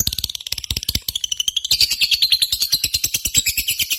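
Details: Several seconds of lovebird competition song: rapid staccato clicks merge into a shrill, buzzy, wavering trill that climbs gradually, the pulses rushing by at a steady fast pace.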